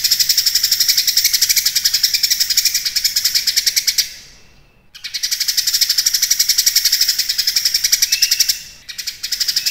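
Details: Cucak kinoi singing strongly, used as master material for competition songbirds: long runs of rapid high rasping pulses, stopping twice for brief silences and a faint whistle before restarting.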